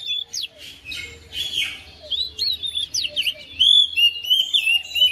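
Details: Oriental magpie-robin at home responding to another bird's song: scratchy chirps open, then clear sweeping whistles and rapid notes about three per second, growing louder toward the end over a low background hum.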